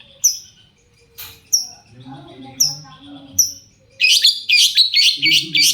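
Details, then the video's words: Shrike lure sound to provoke other shrikes into answering: several sharp descending high notes, then a dense burst of rapid chattering phrases. "cendet gacor pancingan burung cendet agar cendet bunyi INI AMPUH BIKIN burung cendet lain NYAUT"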